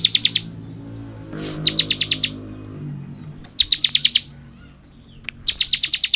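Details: Bar-winged prinia singing in the lively ngebren style, used as training material for other birds: bursts of five to six sharp, high chipping notes in rapid series, separated by short pauses, over a faint low hum.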